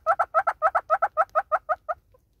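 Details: Southern red-billed hornbill from South Africa in song: a rapid run of loud, emphatic doubled clucks, about ten pairs in under two seconds, tailing off into single notes before falling quiet.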